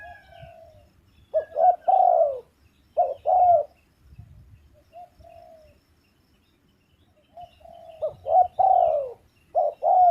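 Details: Repeated spotted dove phrases, each made of short clipped coos followed by a long, mellow downward coo. Quiet softer notes fill the gaps between the louder bursts.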